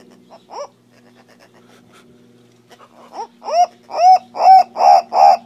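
Green turaco giving a series of hoarse, arched croaking notes, about two or three per second, building steadily louder over a low constant hum.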